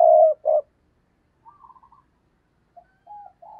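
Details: Decoy spotted dove cooing to lure wild doves: two loud low hoarse coos, then softer quavering notes and a short muffled coo phrase, with silent gaps between.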